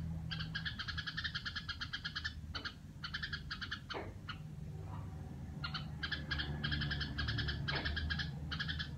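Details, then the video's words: A captive Red-whiskered Bulbul kept at home, singing in the 'rò' style: rapid buzzy rattling pulse trains in bursts of about a second, broken by short pauses, over a low steady hum. "Chào mào nhà em sao nó rò không ta?"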